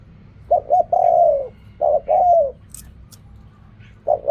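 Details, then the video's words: Spotted dove cooing in the riak kham, khu kham and ok rong styles: two full phrases, each with two clipped coos then a long slurred coo that falls at the end, and a third phrase beginning. "เรียกคำ คูคำ อกร่อง เสียงนกเขาใหญ่"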